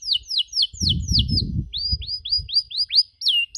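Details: Canary cuit-cuit chirps used to train other canaries: repeated descending whistled sweeps, several per second, with a low rumbling noise in the first half.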